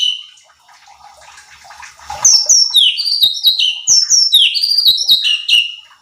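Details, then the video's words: Cucak cungkok bulbul in full song, used as a training recording to provoke other birds: after a faint start, a fast run of bright, sliding, chirpy whistles jumps up and down in pitch, several notes each second. "CUCAK CUNGKOK GACOR || Pancingan Cucak Cungkok Malas Bunyi | Bikin Emosi Burung Lain"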